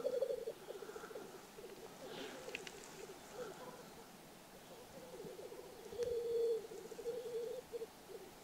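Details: In Karelia on a frosty spring morning, while listening for a capercaillie lek, black grouse males bubble and coo in a continuous low, rolling chorus from a distant lek in the lowlands.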